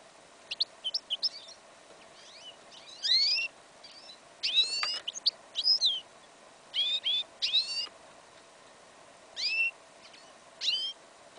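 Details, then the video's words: Goldfinch crossed with yellow isabel canary sings in a winter field, song incomplete: a lively series of twittering chirps, sharp downslurred whistles and short buzzy bursts, delivered in clusters over eleven seconds against a steady low hum. "Прослушка гибрида щегла"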